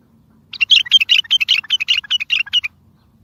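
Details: Bulbul song used as a lure for trapping and to get distant bulbuls answering: a two-second run of rapid, lively chirped notes, evenly paced and bubbling, starting after half a second of silence and ending abruptly.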